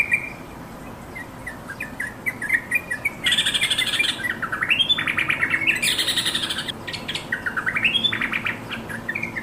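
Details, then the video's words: Energetic companion-calling by a yellow-vented bulbul. Fast, liquid notes repeat several times a second, rising into upslurred whistles. Two spells of loud, rasping, hissing chatter come in between, over a steady faint background hiss. "Yellow vented bulbul bird sound"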